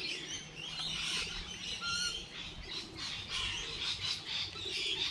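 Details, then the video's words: On a light rainy day, several birds give lively, overlapping high chirps and twittering bursts, with one clear short whistled note standing out near the middle, against a soft continuous rain background. "Bird sounds, Bird chirping"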